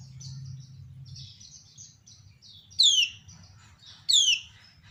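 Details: Female common iora (kecial kuning, also called pleci lombok) calling and drawing answers from other ioras: a run of thin, high chirps, then two loud, sharply descending slurred notes about a second and a half apart, over a low hum.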